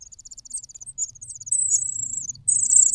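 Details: Begging cuckoo chick, hungry while host chicks are fed: soft rapid high ticking builds into longer, louder, shrill buzzy calls, with faint low rustling beneath.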